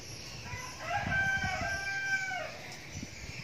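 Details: Young decoy red junglefowl giving one crow of about a second and a half: a clear harmonic call that swells then trails off, over low rumbling background noise and a faint high-pitched hiss.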